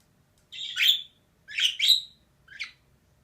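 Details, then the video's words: A female budgerigar gives a drawn-out grating squawk, then two quick rasping chirps and a shorter final one, all harsh and high, against a quiet indoor background. "DİŞİ MUHABBET KUŞU SESİ"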